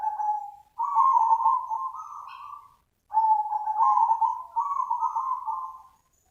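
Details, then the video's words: Two long, rolling coo phrases from a zebra dove, known as perkutut, used to lure other doves; each phrase wavers and steps slightly upward before fading, in a clean, quiet setting. "SUARA PANGGILAN BURUNG PERKUTUT SUPER NUTUT AMPUH UNTUK PANCINGAN || ZEBRA DOVE"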